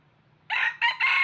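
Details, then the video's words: A decoy red junglefowl for trapping starts a crow: three loud, harsh bursts in quick succession, with the phrase cut off abruptly after under a second and a faint low hum before it. "Tiếng Gà Rừng Mồi Gáy Cực Hay"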